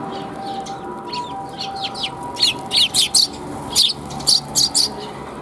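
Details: Sparrows chirping in a back alley, 28 January 2022, on the way along: a lively series of short, sharp, high notes, some paired and clustered, grows louder through the second half against a faint background hum.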